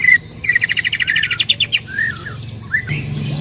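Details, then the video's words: Greater green leafbird, a loud singer used as a training recording, delivers a fast pulsed rattling trill followed by slurred whistled notes rising and falling. "Masteran cucak ijo gacor full tembakan suara keras"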